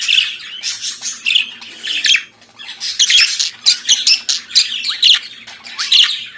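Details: Morning song of a pet budgerigar: dense, continuous chattering warble of raspy notes and quick high chirps, pausing briefly midway, over a faint steady low hum.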